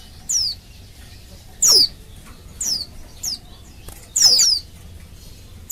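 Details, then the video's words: Female Oriental white-eye calling for males, a lure for caged males to start singing: about seven thin, descending whistled notes, single or briefly doubled, at irregular spacing, with faint hiss. "Suara Burung Pleci Betina Memanggil Jantan, Pancingan Pleci Paling Ampuh Agar Pleci Cepat Bunyi"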